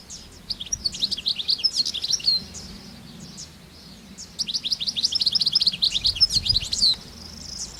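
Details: European goldfinches singing in the wild: two bursts of rapid, high, tinkling twitters and liquid trills, separated by a short pause, over a faint steady high tone and soft low background hum.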